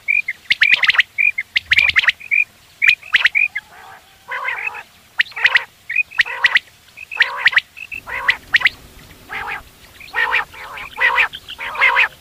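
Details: Quail calls offered for morning quail hunting, in quick, repeated bursts: clear high chirps at first, then harsher, raspy notes every second or so, with a faint low hum later.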